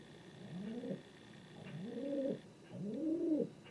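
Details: Three quieter, uneven coos from a king pigeon, the domestic breed, each a low note that bends upward then falls, the spacing irregular and the last one strongest.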